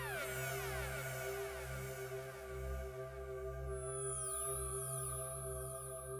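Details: Electronic music with a pulsing bass and sweeping synthesizer tones, and no animal voices.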